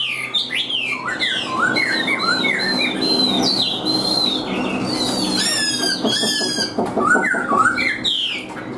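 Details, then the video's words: Caged, hand-tame Chinese hwamei singing: loud, varied, slurred whistles that rise and fall between mid and high pitch, with quick buzzy, rattling high phrases near the end and a steady low background hum. "Chim Họa Mi Hót Đỉnh Cao, Thuần Sách Tay Hót"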